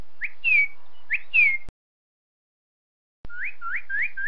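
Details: Northern cardinal (Cardinalis cardinalis), song.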